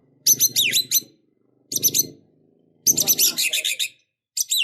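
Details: White-rumped shama in fighting, emotional mood, singing dense phrases of rapid high chattering notes and downslurred whistles in bursts about a second long, with a low murmuring undertone beneath each burst.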